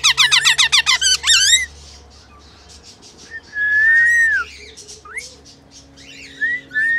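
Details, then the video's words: Rainbow lorikeet in love, singing: a rapid, loud series of rich harmonic chirps, then long slurred whistles, a downward squeak and rising whistled notes over quiet gaps. "Lorikeet rainbow singing song in love"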